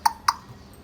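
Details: A pet grey parrot mimics speech, saying a quick two-syllable "hello" in a bright, mid-pitched voice, the second syllable slightly higher, in a quiet room.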